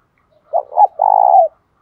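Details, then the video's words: Spotted dove lure bird in the 'đồng pha' voice style, 'thúc bổi' urging call: two short low coos followed by a long, evenly throbbing coo of about half a second, in clean quiet surroundings. "tieng chim cu gáy giọng đồng pha thúc bổi"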